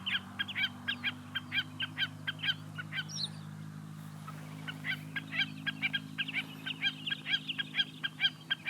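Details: Common snipe (Gallinago gallinago) giving rapid, repeated dry 'chip-per' notes in two runs, with a brief pause between. A steady low hum runs underneath.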